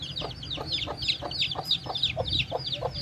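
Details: Chicks with their mother hen peep constantly in high, sweet, arching notes, over a soft, low clucking repeated about three times a second.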